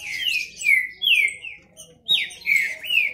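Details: Green-winged saltator males singing in a competitive contest: loud, clear whistled phrases that slide downward, given in bursts roughly every half second, with brief quiet gaps between.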